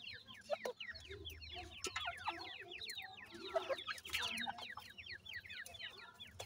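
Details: Several grey francolin chicks alongside their parents give fast, overlapping high peeps that slide downward, building to a thicker burst midway, over a faint low hum.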